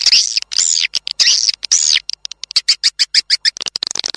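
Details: Swiftlet lure audio, tested outdoors, meant to bring the birds in to nest: arched, squeaky high twitters in the first half, then a steady string of short sharp clicks ending in fainter chatter.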